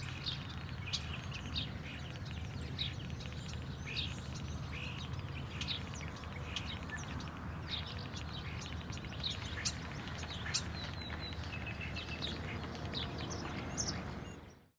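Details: Common starlings (Sturnus v. vulgaris) in Thessaloniki, Greece, in April 2024 give a dense, restless chatter of short clicks, squeaks and whistled chirps, over a steady low rumble of wind or distant traffic.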